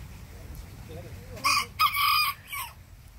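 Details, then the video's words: Bantam rooster answering the big rooster next door. Soft low murmuring sounds come first, followed by a bright, harmonic three-part crow with a long middle syllable and a short falling last note. "Tiny Bantam roosters answer big rooster nextdoor"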